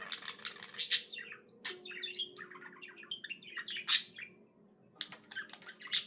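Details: Soft budgie warble indoors: quiet chattering chirps and ticks punctuated by sharp, high squeaks roughly every second or two, with gentle pauses between phrases.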